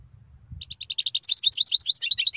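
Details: European goldfinch song: a continuous, fast run of tinkling, twittering notes that grows louder and busier, with jumbled high slurs toward the end. A faint low murmur sits underneath at the start.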